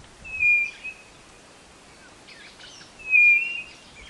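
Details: White-bellied nothura song for attracting birds into a trap box: two long, level, high whistles about two and a half seconds apart, each followed by faint scratchy chirps.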